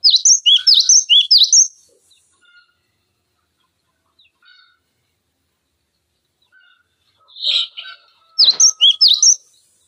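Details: Cinereous tit used as a training model for other songbirds, giving a quick run of high, sharp whistled notes, then a quiet gap with faint chirps and a brief rough sound before another fast burst of song.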